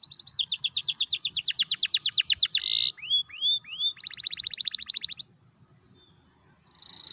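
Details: Belgian canary in lively 'gacor' singing, used as a lure to get other canaries singing: fast rolling trills of high notes, then a few rising swooping whistles, then another rapid trill before trailing off.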